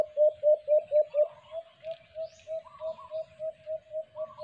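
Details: Low, round coos of a white-eared brown dove, known as alimokon, recorded during cage-trap hunting. Five strong notes are followed by a slower, softer, evenly spaced series, with faint higher bird chatter behind them.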